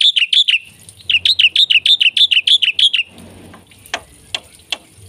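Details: Lively jalak putih (black-winged myna) song packed with isian: short bursts of quick, high warbled chirps in a steady rhythm, then a few isolated sharp clicks over a soft background hiss.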